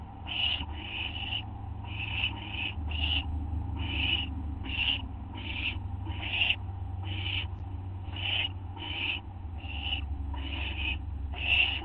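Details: Owl getting a treat at 2:16 AM on August 30, 2011: short, scratchy hissing bursts repeated irregularly, sometimes in quick pairs, over a persistent low-pitched hum.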